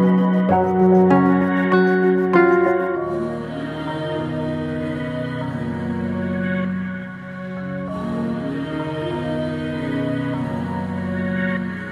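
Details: Soft ambient music with sustained tones and gentle plucked notes; no animal voice can be picked out.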